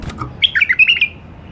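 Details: Tame bulbuls kept in a cage sing sweetly: a brief run of bright, rapid, slightly warbled notes tumbling together over about half a second, indoors and close.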